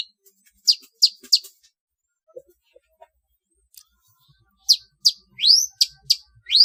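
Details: {'caption': 'Long-tailed shrike trotol training song for contest birds: three sharp high notes, a quiet gap with faint ticks, then a lively run of rising whistled sweeps and clipped chirps.'}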